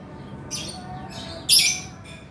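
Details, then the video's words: Lively male lovebird in 'gacor' singing form. Short scratchy squeals rise into a loud, grating burst of shrill chatter, then a final softer squeak. "SUARA BURUNG LOVEBIRD GACOR JANTAN"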